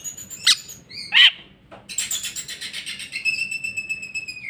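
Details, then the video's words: Greater green leafbird singing in full jamtrok style, bongkar isian: isolated high whistled notes and a loud squeak, then a dense, buzzy stretch of overlapping high warbles and sustained whistles. "cucak ijo mewah ful jamtrok bongkar isian"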